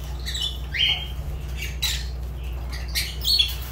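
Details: Fischer's lovebird kept as a pet indoors, giving short harsh squawks and chirps, a few sharp rising notes scattered across the clip over a low steady hum.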